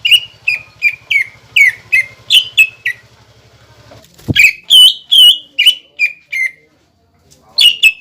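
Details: Cucak ijo song as a lure to make young birds sing: quick series of loud whistled notes falling in pitch, then a sharp knock, more varied ringing whistles, over a faint low hum early on.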